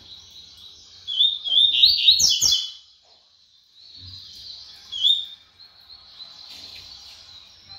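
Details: Double-collared seedeater singing fast to show off its speed: quick high chirping, twittering phrases in bursts, with the loudest run near the start and a shorter burst later, over a quiet background.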